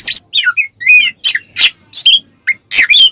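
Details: Ngeplong singing by an Oriental magpie-robin, played to make other magpie-robins agitated: harsh, buzzy chirps alternating with short sweet whistles in fast, uneven bursts.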